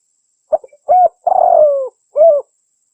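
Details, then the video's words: Spotted dove, a local bird, calling in a recording used to lure wild doves and train captive ones: short stuttering notes, then a clear coo, a long rough descending coo and a final arched coo, clean and quiet. "SUARA BURUNG TEKUKUR (DERKUKU) PIKAT PALING TOP | GACOR"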